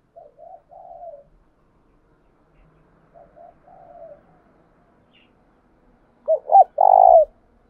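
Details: Spotted dove call used to stimulate another dove to call: two soft cooing phrases of short notes and a drawn-out coo, then a louder close phrase of clipped, rolling coos near the end, with silence between.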